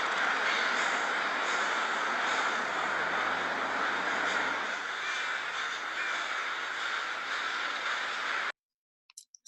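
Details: American crows gathering at an evening roost in Bothell, north of Seattle, calling to each other before roosting: a dense, unbroken din of harsh caws from many birds at once, stopping abruptly near the end.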